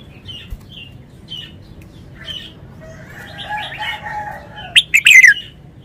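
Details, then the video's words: Scattered soft chirps and a low warbling background build up before a red-whiskered bulbul bursts into its loud phleng pa wild-style phrase of quick, ringing whistles that slide downward. "นกกรงหัวจุก 292 เพลงป่า แกนโต"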